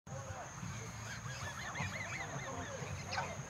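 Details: More than a hundred geese being fed in the countryside give a dense chorus of overlapping nasal honks, short rising and falling calls packed together, over a low rumbling background and a steady thin high whine.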